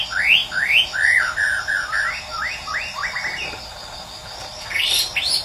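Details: Morning song of a Medan-type white-rumped shama, used as a natural lure to get silent birds singing: rapid rising whistled notes, varied slurs and chattering phrases, then a high burst near the end. A constant insect drone sounds behind it.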